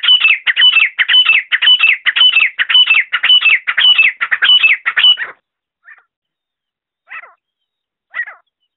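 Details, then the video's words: Francolin call used for hunting (Grey or Black Francolin, not specified): harsh, grating notes in a fast run, about three a second for five seconds, then three scattered single notes. "Francolin call sound voice"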